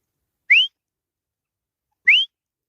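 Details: Grey francolin, known locally as teetar, calling during a fight: two loud, clear, upward-slurred whistles about one and a half seconds apart, with silence between them.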